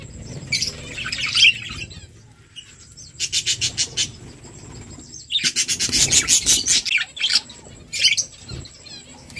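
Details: Budgerigar flock chirping while eating; bursts of fast scratchy chatter and rapid repeated high notes, with quiet gaps and faint rustling between.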